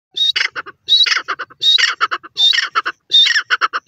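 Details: Francolin, known locally as teetar, giving loud harsh squawking phrases: a rasping, buzzy opening note followed by a quick string of short clipped notes, the phrase repeated about every 0.7 seconds with brief gaps.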